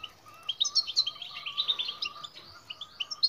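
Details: Goldfinch bitbita song meant to coax silent birds into singing: a quick, liquid run of high twittering notes and tinkling chirps, dense and continuous, over a faint steady tone.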